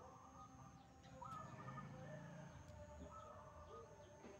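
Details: Wild zebra dove, singing actively, gives a rising note and a short train of quick gentle coos, then quieter answering notes later, set against background rumble and a persistent faint high whine.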